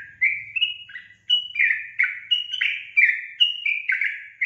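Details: Sooty-headed bulbul (trucukan) delivering a continuous gacor song, a rapid cascade of clear, bubbling whistled notes hopping between two pitch levels, nearly without break.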